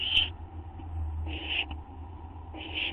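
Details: Owl at 12:38 AM on 8 September 2011, waiting for and receiving a gopher or vole treat. Three raspy, hissing screech bursts come roughly every 1.2 seconds over a steady low hum, with a faint click between them.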